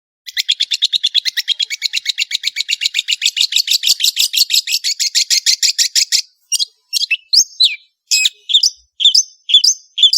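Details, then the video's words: Long-tailed shrike (Lanius schach) in lively song: about six seconds of fast, scratchy chattering notes in a dense trill, then separate sharp, varied calls with short gaps between them. "BURUNG CENDET GACOR"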